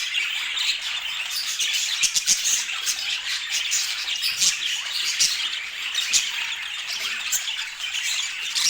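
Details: A group of domestic budgerigars warbles and chirps without pause, a thick, buzzy chorus of overlapping high notes with a few sharper clicks and squeaks.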